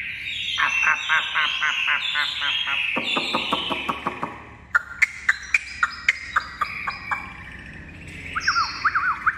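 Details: Captive purebred Chinese hwamei, tame and released indoors, delivers a rapid chattering burst, then sharp notes spaced about half a second apart, ending in quick zigzag whistles.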